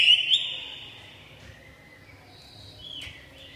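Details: Red-whiskered bulbul singing: a loud, clear whistled phrase at the start, then fading quieter notes and one brief, sharp whistled note near the end, over faint background hiss.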